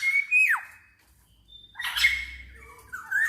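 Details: Black-naped oriole, kepodang emas, giving a long whistle that swoops down, then harsh buzzy notes and a rising whistle; sung as a lure to set other orioles singing.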